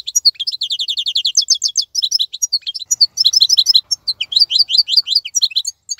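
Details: European goldfinch in full song while other birds moult, delivering six seconds of continuous tinkling, chattering phrases with quick bright notes and short rattling runs.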